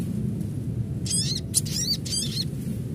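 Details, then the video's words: Call of an adult Ruby-cheeked Sunbird, said to make other sunbirds open their beaks and chatter quickly. It gives three quick clusters of thin, high, trilling chips in close succession against a constant low rumble. "Panggilan SOGON Dewasa Asli Suara Alam Bikin Sogon Metalik Buka Paruh&Cepat Kemrecek"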